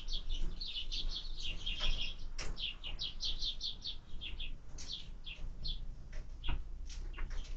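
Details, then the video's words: Sparrow at a feeder, 20 February 2024, chirping busily: a rapid run of short high chirps, some in pairs, then sparser notes, over faint low-pitched background hum. "Ужин воробья"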